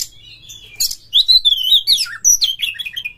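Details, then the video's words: White-rumped shama song meant to prompt other shamas to sing, a fast varied run of clear whistles, rising and falling slurs and buzzy chips following a brief sharp note. "pancingan KACER Gacor buat Master KACER"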